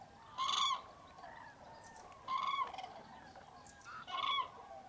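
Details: Common cranes at a huge roost of hundreds in Tablas de Daimiel National Park, Spain, on a freezing, foggy mid-January dawn; three loud trumpeting calls, rolling and ringing, spaced about two seconds apart over a soft background murmur.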